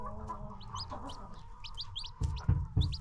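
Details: Baby chicks among free-range farm chickens: scattered high, piping peeps over a constant low hum, with three loud thuds near the end.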